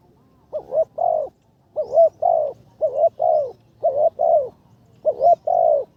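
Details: Third training session of a spotted dove kept as a ground decoy: clear, resonant coos in groups of a stuttered short note and a long sliding note, repeated about every second over a quiet background.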